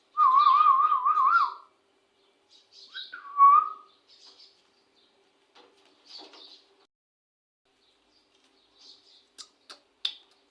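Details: Talking Indian ringneck parakeet gives a rapidly warbling whistled note, then a falling, swooping whistle. Soft scratchy mutterings and sharp clicks follow, separated by pauses, in a quiet indoor setting.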